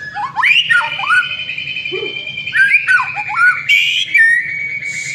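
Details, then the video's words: White-rumped shama singing a lure song, a varied run of loud whistled notes with sweeping slurs and long sustained tones, ending in a harsh buzzy burst. "Murai Batu Masteran sekali Pancing Langsung GACOR"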